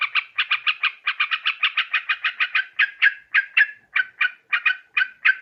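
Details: Sooty-headed bulbul call meant for luring birds into traps. A quick, even string of chattering notes gradually slows into spaced, slightly falling single notes.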